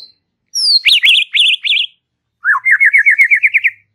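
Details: White-rumped shama in relaxed chattering song: a high thin whistle, a run of zigzag warbled notes, then after a pause a quick rattling trill of about ten rapid notes.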